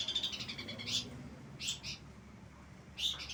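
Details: Bar-winged prinia in full, lively song: short, high, buzzy chirps in quick clusters, then brief gaps, over a low background rumble.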